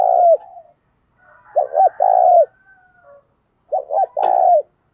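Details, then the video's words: Decoy spotted dove luring wild birds with 'thúc gù' and 'gáy gọi' cooing. Three low phrases of two short hoots and a long coo, with soft murmured notes between and a brief click. "Tiếng Chim Cu Mồi Thúc Gù Và Gáy Gọi/ Chim Cu Gáy Kích Bổi Nhanh Nổi Hiệu Quả"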